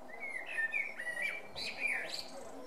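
A male common blackbird sings mellow, fluty warbled phrases, then ends with a higher, squeaky twittering flourish. Faint background hiss.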